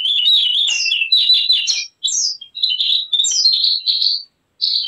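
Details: Song of the Javan grey-throated white-eye, used to lure or train birds: continuous high, tumbling warbled phrases and sweet twitters, ending after a short pause with one more phrase.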